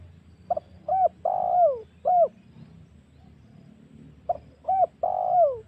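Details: Spotted dove lure call, used to provoke and attract wild doves for hunting: two phrases of short hooted coos ending in a longer falling coo, with a soft low rumble behind.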